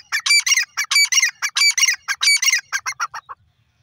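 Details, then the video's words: Grey francolin, known locally as dakhni or irani teetar, calling: a fast run of loud, harsh, ringing notes in a rhythmic series, about ninety-two notes a minute, slowing and fading at the end, with no other sounds. "dakhni teeter awaz,irani teeter voice"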